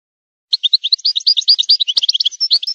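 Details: Song of a wild goldfinch, offered as tutoring for young birds: an unbroken run of quick, high, liquid chirps and trills in varied pitch, with a few sharper clicks, clean and free of background noise.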